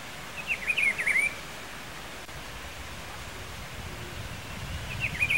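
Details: Rufous-browed peppershrike (Cyclarhis gujanensis) singing at Pedro Gomes, Mato Grosso do Sul, Brazil: a short, rich warbled phrase repeated after a pause of about four seconds, over steady background hiss.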